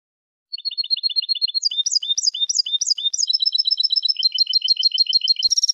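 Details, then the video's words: European goldfinch song recorded for tutoring: soft paired notes, then upward-flicking phrases, followed by a long fast trill of repeated doubled notes. It closes in a brilliant high burst, with no other noise. "10 ساعات تعليم الحسون أفضل تغريد في العالم بدون أخطاء"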